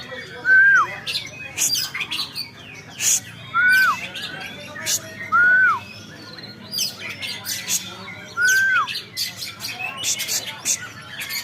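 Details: Oriental magpie-robin singing while seeking a rival: four clear downslurred whistles at regular intervals, mixed with scattered sharp chirps and high twittering notes from other birds.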